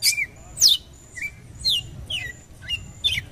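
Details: Red-cowled cardinal calling to provoke a male: strong, sharp downward-sweeping chirps alternating with shorter, lower whistled notes, roughly one or two per second, over a faint continuous high tone.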